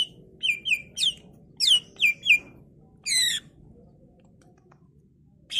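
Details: Greater green leafbird singing varied phrases to lure other leafbirds into responding: scattered bright chirps and a buzzy trill over a low hum, then a long quiet stretch.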